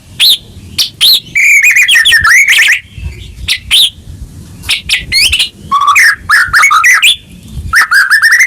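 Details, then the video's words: White-rumped shama song for luring a caged bird back into singing: sharp high chips separated by short gaps, mixed with rolling whistled phrases and trilled runs that rise and fall. "Pancingan Murai Batu Macet Bunyi Langsung Gacor Dor"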